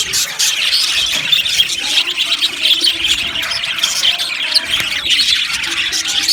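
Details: A colony of budgerigars chirps and warbles nonstop, a bright high twittering blanket with short squawky notes rising here and there.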